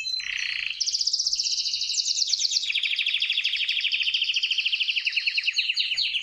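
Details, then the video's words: Male canary courtship song: a dense, rolling trill sustained for over five seconds, layered high and mid notes buzzing steadily, with pitch shifting slightly between sections. "É assim que o canário canta quando quer galar a fêmea!!!"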